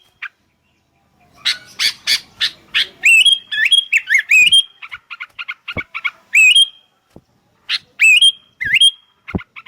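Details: Several sooty-headed bulbuls answer one another after a quiet start, mixing short dry chirps with lively, upward-sweeping whistled notes that come in bursts.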